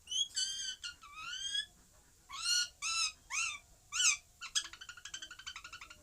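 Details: Parrot calling: a run of whistled, bending notes rich in overtones, some rising and some arching, then a fast burst of short repeated chatters at the end, over faint background hiss.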